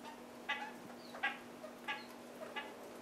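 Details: A pair of red-crowned parakeets feeding on half-ripe willow seeds; four short, bright, harmonic chattering notes spaced roughly every 0.7 seconds over a steady low electrical hum.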